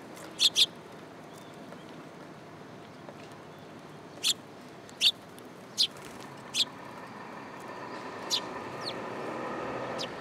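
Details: Sparrows landing on a person's hand at a Tenmangu shrine, recorded 8 July 2022; clear high chirps, a quick double near the start, then single notes about one per second, over a low steady rumble.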